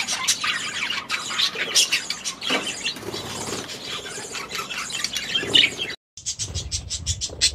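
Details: Several budgerigars in their aviary chattering in busy overlapping squawks and chirps, then after a short silence a fast run of repeated sharp chirps.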